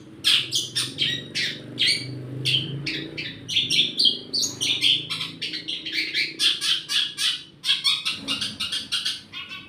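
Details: Long-tailed shrike in full song with mimicked 'church' content: a rapid, almost continuous run of rasping chirps and squawks, rhythm shifting from bunched bursts to evenly pulsed notes.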